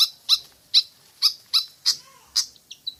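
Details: A Pied fantail song recording, locally known as kipasan, meant to lure birds into singing. It gives bright, clipped high notes about every half second, each with a faint lower echo, ending in two short softer whistles.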